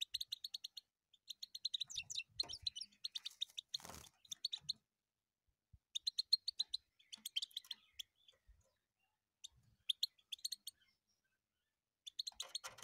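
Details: European goldfinch song: quick, tinkling twitters and sharp chirping trills delivered in bursts separated by silent gaps, with a brief rustling noise near the start.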